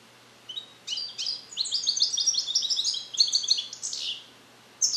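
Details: Captive-bred male European goldfinch, born 2021 in the USA and song-trained on Neapolitan passages, still learning them, recorded alone in a carrier: dense, high, tinkling twittered phrases with rapid buzzy notes, running continuously for about four seconds.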